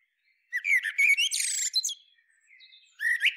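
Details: Common Blackbird (Turdus merula) delivering a short strophe: low fluted warbling notes that give way to a bright, squeaky high twitter, a pause, then the start of another phrase; no other sounds.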